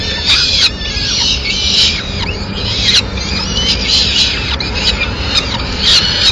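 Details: Female peregrine falcon delivering pigeon remains in Madrid, 30 April 2016: thinner, screechy calls in short bursts about a second apart, with a faint background hum of the city.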